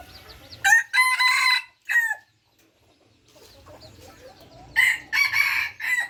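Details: Red junglefowl, third captive generation, crowing twice: a harsh broken crow, a short pause with faint bird twitter, then a second strained crow.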